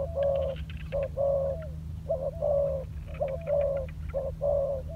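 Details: Cooing spotted dove, a decoy bird practising on the ground. It utters mellow, hollow notes, short then long, with the long ones sliding slightly down at the end, repeated about every second. A low hum persists beneath.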